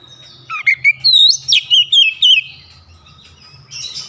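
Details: Oriental magpie-robin delivering a short, sharp burst of song: about six loud, looping whistled notes with steep up-and-down slurs packed into two seconds, followed by quiet low background hum.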